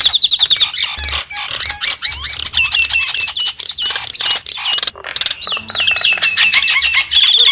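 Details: Nias hill myna singing a loud, varied song of clear whistles, rising and falling slurred notes and harsh squawky bursts, delivered in rapid succession with barely a pause.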